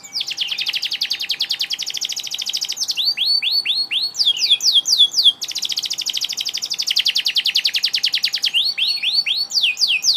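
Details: Canary singing loudly and continuously: long rapid trills of repeated high notes alternating with series of descending whistled sweeps, with a faint steady hum beneath.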